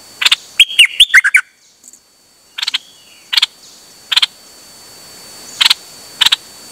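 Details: Songbird recorded 8 September 2023 on a rare outing, singing without pause: a quick whistled phrase, then single sharp click notes spaced about a second apart.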